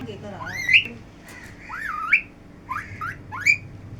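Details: Parrot voicing a string of whistled, speech-like phrases, each a rising or S-shaped tone ending in a brief high note, repeated roughly every second over a faint hum.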